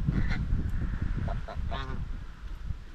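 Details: Domestic white Chinese geese grazing and bathing on a farm homestead, exchanging social calls; a few short nasal honks rise over a steady low rumble of background noise, with one clearer harmonic honk near the end.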